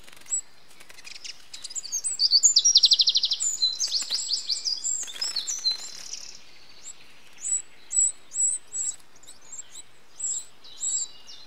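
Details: Eurasian wren nestlings being fed by an adult, recorded 8 June 2013: a dense, rapid burst of high buzzy begging notes swells and fades, followed by short high chirps repeated about every half second.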